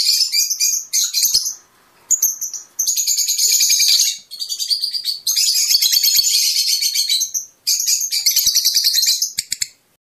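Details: Fischer's lovebird song, played to stimulate mating and singing: dense, high-pitched chattering twitter in long continuous bursts of rapid chirps, broken by short pauses, with no other clear sounds.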